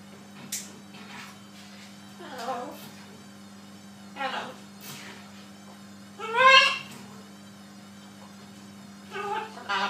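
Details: Pet macaw parrot talking indoors, five short raspy voice-like bursts spread over ten seconds, the loudest a rising harmonic phrase near the middle, over a steady low electrical hum.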